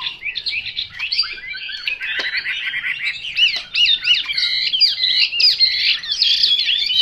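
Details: Untrained Chinese hwamei singing a continuous, rich stream of quick whistled phrases, slurred up and down and tumbling without pause, with bright notes packed about two or three per second.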